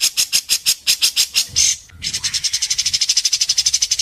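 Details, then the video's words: White-rumped shama competing in Indonesia, sharp 'masteran besetan' song: spaced high buzzy strokes, a short harsh burst, a brief pause, then a fast even rattle of high pulses. "Masteran besetan tajam!Langsung dikunci para juri"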